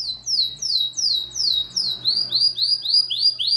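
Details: Domestic canary of the yellow type singing in a competition in Maripá de Minas, Minas Gerais, Brazil: rapid series of high, descending whistled slurs, changing midway to rising sweeps repeated about three times a second, with a low background hum.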